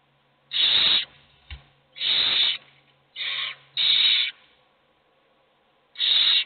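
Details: Begging owl chicks, hungry with only one being fed: five rasping hisses of uneven length and spacing, plus a faint low hum and a soft knock in the nest.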